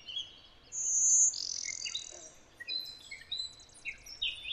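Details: Blue-winged Warbler song in Connecticut, where it interbreeds with Golden-winged Warblers: a high, buzzy drawn-out note followed by a lower, rougher buzz. Other birds chirp and twitter around it.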